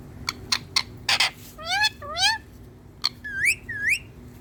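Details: Hand-tame green Indian ringneck parakeet talking to a mirror: a few sharp clicks, then several rising, harmonic whistled phrases with upward-curving squeaky notes near the end, indoors.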